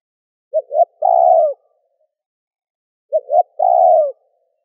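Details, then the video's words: Spotted dove giving its gù and gáy gọi calls to excite wild doves: two identical phrases three seconds apart, each two brief hoots and a sustained mellow coo that drops at the close. "Cu gáy gù - thúc - gáy gọi kích bổi nhanh nổi"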